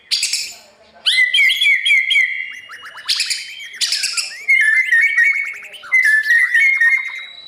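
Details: White-rumped shama morning song meant to train wild-caught birds for competitions; sharp buzzy bursts, each followed by level fluttering whistled trills, repeated in phrases about every one to two seconds.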